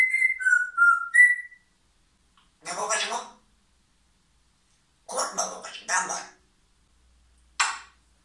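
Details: Pet parrot in a small room giving a short run of clear whistled notes, falling then rising, followed by several separate speech-like mumbled phrases with pauses between them.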